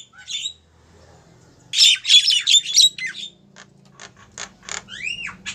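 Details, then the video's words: Female Javan myna calling to a male: harsh squawking bursts and chattering notes, then sharp clicks and a pair of rising whistled slurs near the end, with faint low hum beneath. "suara burung jalak kebo betina manggil jantan"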